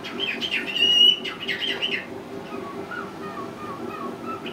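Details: Caged male cockatiel practicing his repertoire of whistled tunes and mimicked words; a burst of bright chirps and squawky notes for two seconds, then softer short whistled notes, over a constant low indoor hum.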